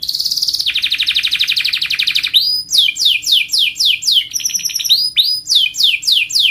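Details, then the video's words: Melodious rolling song of a canary: rapid high trilled rolls that drop slightly in pitch, followed by loud repeated swooping notes roughly four per second, with brief ringing tones between them. "kenari ngerol merdu"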